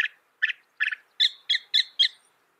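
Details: Northern mockingbird mimicking other birds, a species that can copy 200 sounds. Three buzzy notes, then four sharper double-toned notes given in quick succession with brief pauses between them.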